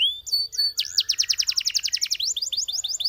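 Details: Belgian canary starting with a few rising whistles, then breaking into a rapid loud trill and finishing with quicker choppy repeated notes.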